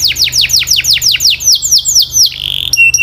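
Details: Singing canary pours out quick high downslurred whistles, around four a second, which flatten into a rapid rattling trill and end in sharp high notes, over a faint low hum.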